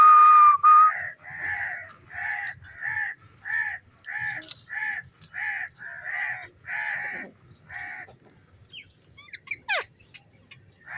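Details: Steady run of rough, nasal squawks from a playful green pet parrot beside its owner, a dozen or so in quick succession, opened by a short whistle and ending in scattered squeaks.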